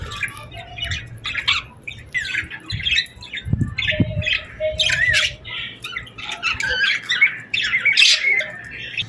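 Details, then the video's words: Birds chirp on a summer evening at sunset in a dense, continuous chatter of harsh squawky notes and quick chirps from many birds. Occasional low thumps and a short steady tone are mixed in. "Evening Birds Chirping Sounds Effect | Summer Birds Singing at Sunset"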